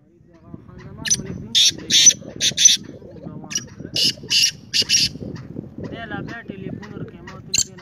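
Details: Black francolin (kala teetar) giving harsh, grating bursts of buzzy notes in two phrases of about five notes each, then a lone note near the end, over a low murmur of voices and background noise.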